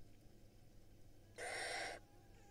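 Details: Barn owl nestlings in a nest box in Israel, hatched May 2022, being fed by their mother. A single broad, harsh, rasping hiss lasts about half a second over a quiet background.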